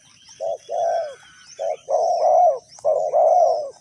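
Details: Spotted dove in Ninh Thuận, Vietnam, recorded in a bird-trapping setting. It gives three low cooing phrases, each a short note followed by a longer rolling coo, roughly one phrase per second. Faint high chirps from other birds are heard in the background.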